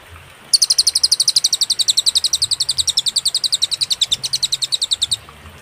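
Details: Cililin singing in a clear training recording with pauses: one steady burst of quick, bright, high chips, about seven each second, running for nearly five seconds before stopping.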